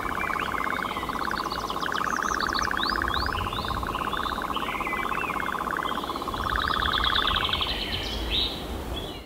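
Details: A European nightjar on heathland churrs at dusk after sleeping still in a tree; wheatears are still foraging nearby. It gives a long, dry, mechanical trill for nearly eight seconds while other birds whistle and chirp over it.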